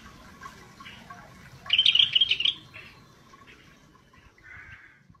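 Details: Scaly-breasted bulbul in full, lively song: a short burst of quick, chattering warbled notes lasting under a second, followed by a faint softer phrase, over quiet background hiss.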